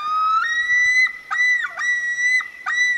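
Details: Common Loon on a northern Minnesota lake in the Boundary Waters in the evening gives a rising, wavering cry that swings up and holds a high, siren-like note, broken by quick dips and catches.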